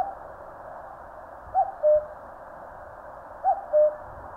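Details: In Korean mountains, a common cuckoo gives two evenly spaced cuck-oo calls, each a short higher note dropping to a longer, lower hooted note, with soft low hiss behind.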